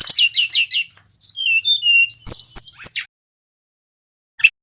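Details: Bali brown-chested jungle flycatcher, a male singing nonstop in a lure recording for silent birds. A quick series of descending notes, then sliding whistles and upswept high notes, a pause, and one short final chip.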